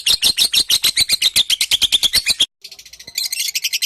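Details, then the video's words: Singing lovebird, its song meant as fill-in material for training magpie-robins: rhythmic, scratchy, high-pitched chirps repeated quickly for over two seconds, a brief pause, then a softer, busier twittering. "Burung Love bird gacor untuk isian murai batu"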